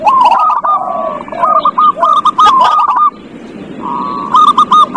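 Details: Zebra doves sing to encourage a quiet dove, with a falling slurred coo followed by rapid runs of short hooked notes from overlapping birds, a brief lull, and a final quick phrase.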